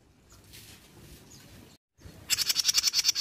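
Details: Jenggot bird song used as a lure to provoke other birds into singing. A quiet stretch of faint background, a brief gap, then a fast series of sharp, very high chattering notes rising in loudness to the end.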